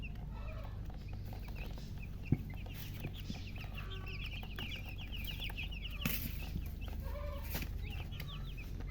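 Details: Thirsty domestic chicken chicks peeping for water: a dense flock of short high downslurred cheeps in rapid overlapping series, with a few lower clucking notes and constant low-pitched background hum and rumble.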